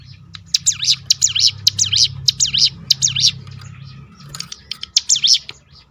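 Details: Crested honeyeater (ciblek gunung) 'tembakan' roll intended to provoke other birds to sing: a steady string of sharp, high, zigzag chirps about every third of a second, a brief break, then a short second burst over a low hum.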